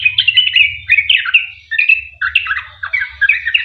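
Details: Sooty-headed bulbul in energetic rapid song, used as a lure so other bulbuls sing along. Slurred whistles and chattering notes tumble quickly, with a low pulsing rumble underneath.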